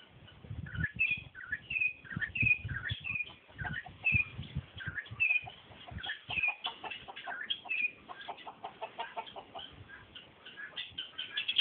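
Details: Campo troupial song of repeated whistled two-note phrases, high and low notes alternating steadily, over background clucking and low rumbling noise, with the phrases growing denser toward the end.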